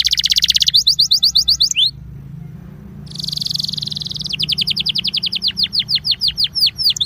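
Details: Belgian canary trilling to warm up other canaries: a dense rattling roll, a silent gap, then a high buzzy trill giving way to evenly repeated descending notes at a fast pace.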